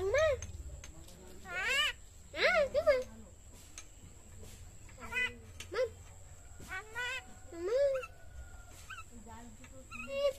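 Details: Common myna talking in quick bursts of harmonic, bent syllables, clicks and a thin sustained whistle, with irregular spacing and short silences.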